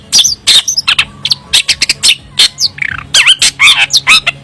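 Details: Cendet, the long-tailed shrike, singing in full varied form. Clipped high chirps, buzzy bursts and bent whistled slurs tumble quickly one after another, against a constant low droning hum.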